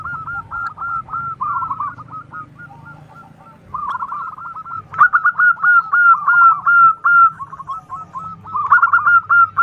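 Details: Local zebra dove (perkutut) with a big, lively voice, used as a lure to draw an answering call: rapid rolling coos, repeated in quick bursts, with two main bouts split by a short pause and a faint low hum beneath.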